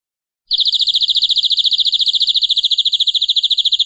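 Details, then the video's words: Long canary song used as a tutor recording for young canaries: after half a second of silence, one high, very even trill of rapid identical notes runs on without a break to the end. "MASTERAN BURUNG KENARI PANJANG"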